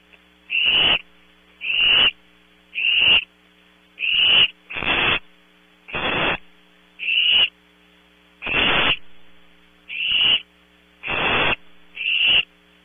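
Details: Barn owl owlets calling at night at Audubon Starr Ranch, California, captured by a close-up PTZ camera: a dozen short, raspy hissing bursts about one second apart, fairly steady, above a low hum.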